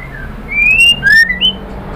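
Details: White-rumped shama singing to stimulate other birds: a brief run of three clear whistled slurs, one long rising note followed by two shorter ones, over faint background hiss.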